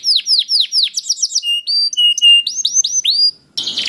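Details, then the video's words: Canary song to spur other canaries into singing: swooping chirps, a fast trill, then flat held whistles and rising slurs, ending in a brief noisy burst. "Sekali Putar Kenari Lain Langsung Nyaut Bunyi Gacor || Voice of Canary"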